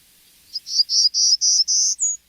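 Golden-cheeked Warbler giving its second song type: about six high buzzy notes in quick succession, ending with one clear, higher, down-slurred note.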